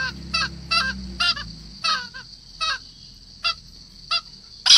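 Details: A 4-month-old green junglefowl gives hoarse, honking crow notes in short bursts about every half second, over a steady high insect drone.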